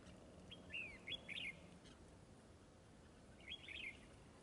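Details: A wild red-whiskered bulbul being lured to a trap by a fighting decoy gives two short, bright phrases of rising and falling whistled notes about three seconds apart over a low, steady background hum.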